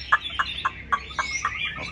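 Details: Caged Chinese hwamei, with a string of short, sharp mid-pitched notes repeated about four times a second. A faint higher warble sounds behind them.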